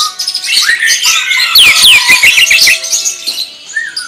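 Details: Greater green leafbird 'tembakan' song: energetic rapid sequence of sharp downward-sweeping whistles and clicks, loud in the middle, over constant high chatter, with a soft whistle at the close.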